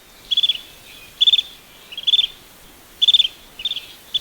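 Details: A Greater sand plover in Sri Lanka gives short, high, rattling trills of four or five quick notes, in irregular bursts about once a second over soft background hiss.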